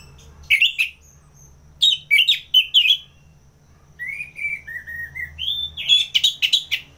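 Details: Orange-headed thrush from Singaraja, Bali, in ngeplong song used as tutor and trigger: a sharp note, a cluster of quick slurred whistles, a long gently falling whistled passage, then a rising lively warbled finish.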